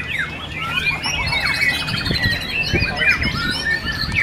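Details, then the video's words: White-rumped shama singing at an Indonesian murai batu competition in Cibubur: continuous busy stream of sweet whistles, quick trills and zigzagging notes, several songs overlapping, faint voices and thumps below. "AKSI MURAI BATU RANCAP"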